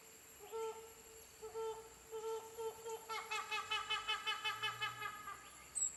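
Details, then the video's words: Helmeted hornbill giving spaced hollow hoots that quicken into a rapid run of harsh, cackling notes, about four per second, over a thin steady insect whine. "Helmeted Hornbill"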